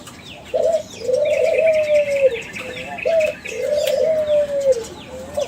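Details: Lure song from a young Kelantan spotted dove bred from champion stock, kept captive. Two cycles of a short note followed by a long, gently falling, mellow coo, over a steady high twittering of other birds.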